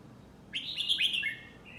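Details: Nine-month-old caged Red-whiskered bulbul from Thailand giving a "lak wai" style song: one rich, rapid warbled phrase of slurred whistles that falls at the end and trails into a softer level note.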